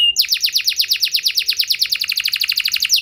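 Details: Canary singing a long, fast trill of steep downswept notes repeated evenly about ten times per second, opening with a brief steady whistle, as a lure to prompt other canaries into long song.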